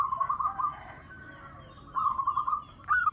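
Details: Local zebra dove singing with a big voice, used as a lure: soft, blurred rolling coos in two phrases separated by a pause, ending in a brief higher note.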